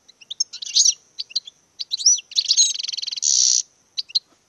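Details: Courting European goldfinch sings jumbled high twitters, then a fast rattling trill of evenly repeated notes ending in a harsh buzzy burst, before a few final chirps.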